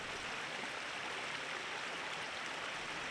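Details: Steady broadband rush of running water, like a stream or small waterfall, with no animal calls.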